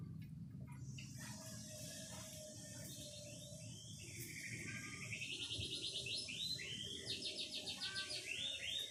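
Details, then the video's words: White-rumped shama singing: after a quiet start, rapid high trills of repeated notes build up and continue to the end, set against steady background hiss and a low hum. "Kicau Murai Batu"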